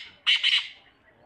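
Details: Black francolin uttering a brief harsh two-part rasping phrase, loud and grating, with a fading tail.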